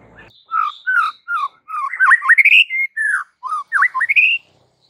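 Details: White-rumped shama song meant to rouse kept shamas: a chain of clear whistled notes, dipping V-shaped slurs and upward sweeps, ending in a rising phrase, with brief silences between groups.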